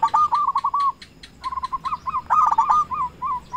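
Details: Zebra dove of local stock calling out rivals as a decoy bird: a run of rapid soft pulsed coos, a brief pause, then a longer wavering series of mellow notes with quick stutters and slurs.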